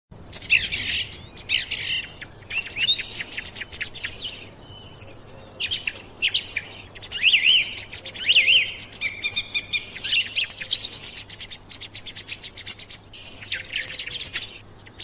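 A song thrush delivers bright, high, varied phrases in bursts every few seconds, each briefly repeated, with a faint low hum underneath.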